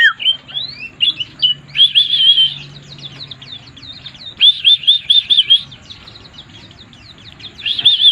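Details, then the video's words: White-eye in 'mabuk' (drunk) singing: dense, high, rapidly rolling twitters in phrases of about a second, with a short pause between them, over a faint low hum. "burung pleci mabuk"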